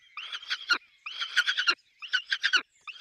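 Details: Peregrine falcon at a nest with chicks, calling in three grating, chattering bursts about a second apart, each a rapid run of rough notes.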